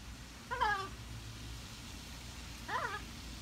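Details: A female blue-and-gold macaw talks to herself in the breeze. Two short, harmonic, wavering vocal sounds come about two seconds apart over a steady low rumble of moving air.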